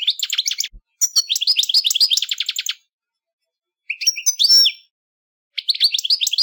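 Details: European goldfinch, a songbird commonly kept as a pet, in rapid melodic song: bursts of high, liquid twittering and buzzy trills broken by pauses, one clear ringing whistle in the middle, recorded cleanly.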